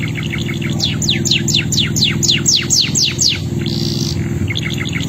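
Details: Male canary sings a series of rapid downward-sweeping whistles, roughly four per second, then a buzzy flat trill, all above a steady loud low hum.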